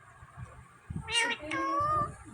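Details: Talking Indian ringneck parakeet imitating a cat: a brief harsh burst followed by a drawn-out, level, harmonic meow, over faint low background rumble.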